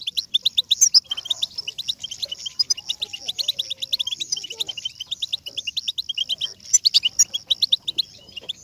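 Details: European goldfinch chatter in the batbata style, played to make a goldfinch sing immediately: continuous fast twittering, sharp high chirps stacked over a ringing trill, with louder clusters near the start and about the seventh second.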